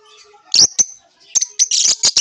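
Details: Lovebird giving sharp shrill chirps, a couple of quick high notes followed by a dense burst of harsh squeaky chatter.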